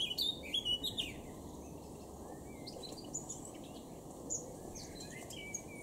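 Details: Eurasian blackcap song from Cambridgeshire, UK, recorded 26 June 2016: a fast opening burst of clear whistled and chattering notes, then sparser scattered high chirps, over constant low hum.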